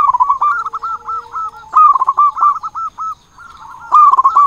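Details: Local zebra dove singing vigorously with a big voice, used as a lure to get other doves singing: rolling bursts of short arched cooing notes, steady in pitch, broken by brief pauses, with a second dove's fainter coos overlapping.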